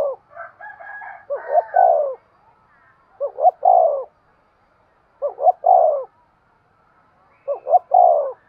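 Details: Spotted dove giving urging coos to stimulate breeding: four phrases of two short hoots and a longer falling coo, about two seconds apart, with brief higher twittering from another bird at the start.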